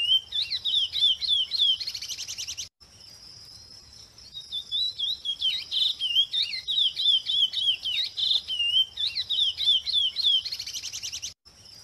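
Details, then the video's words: Free-living chestnut-bellied seed finches (curió) singing in the wild: quick, sweet whistled notes that slide up and down, with buzzy trills closing some phrases, over a thin, steady high hum. "CURIÓ CANTANDO SOLTO."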